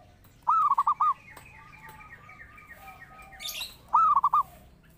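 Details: Zebra dove song used as a master call for training or luring birds: two bursts of four or five soft, rounded cooing notes, each burst lasting under a second, with quiet hiss between.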